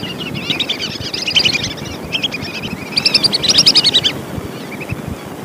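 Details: Lesser whistling duck calling, a recording meant for luring: quick chattering runs of high whistled notes, about three or four short bursts that grow louder toward the end, over a low rushing background noise.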